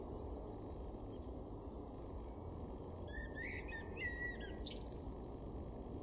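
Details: A male common blackbird in a garden in Weener, East Frisia, far northwest Germany, in April 2022 gives a short phrase of fluty whistled notes ending in a squeaky high twitter, over a steady low rumble and electrical-sounding hum.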